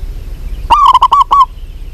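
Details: Calling to a male, a female local zebra dove gives one loud, quick run of five throaty, rolling coos lasting under a second against faint low background noise.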